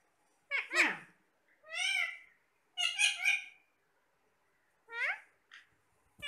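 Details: Talking parrots eating apple, giving spaced, bent phrases: a downward sweeping squawk, then arched calls roughly every second, a double-humped phrase, and short clipped notes near the end.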